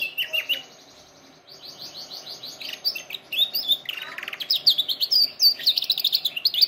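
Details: Canary trainer song: a brief chirp, a quiet pause, then a long run of buzzy rolling trills building into fast bright high chirped notes.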